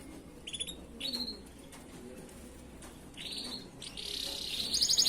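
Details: Master song of a canary, played to teach other canaries: separate bright upslurred chirps at first, then a loud, continuous rapid high trill building through the last second, with a soft background hum.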